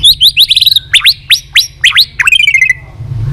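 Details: Continuous tạch song of a White-rumped shama, played to stimulate weak-spirited shamas: quick run of clipped whistles, then evenly spaced upward-sweeping notes, ending in a descending trill of short notes.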